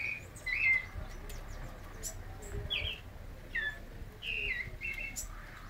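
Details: Midday song from a White-necked thrush, scattered slurred whistles, some descending, separated by pauses, with faint clicks and low background noise.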